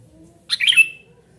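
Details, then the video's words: Single loud harsh squawking burst from a noisy calling sooty-headed bulbul, a rapid scratchy chatter lasting under half a second over faint low hum. "suara burung kutilang gacor super ribut memanggil"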